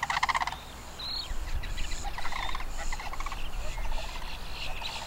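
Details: Long-billed dowitchers seen up close at the Celery Fields, Sarasota, Florida, give a quick burst of high, clipped notes, then scattered sharp keek calls overlapping from several birds, over a steady low rumble of wind.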